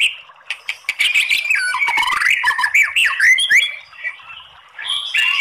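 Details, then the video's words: Crackling 'kretekan' song of a white-rumped shama, long bursts meant to provoke singing: a continuous chattering stream of varied clipped notes and swooping whistles, easing briefly before resuming with higher buzzy phrases. "SUARA KRETEKAN MURAI BATU materi TEMBAKAN panjang ¦ PANCINGAN MURAI ¦ SHAMA BIRD"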